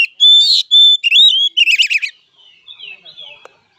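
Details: Fighting song of an oriental magpie-robin: sustained pure whistles, then a wavering whistled phrase and a rapid stuttering trill, fading into soft quiet warbles.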